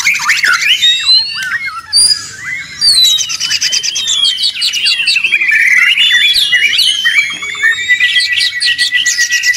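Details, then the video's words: Oriental magpie-robin (murai batu) pouring out a loud, varied song meant to train songbirds: rich whistled phrases, sweeping slurs and rapid chattering trills run together. "Murai ribut Sangat berisik. dijamin nyaut bongkar materi."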